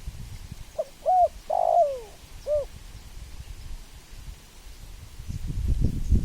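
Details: A single spotted dove phrase: two quick soft coos, a long sliding coo that drops in pitch, and a short final hoot, followed by quiet low rumbling.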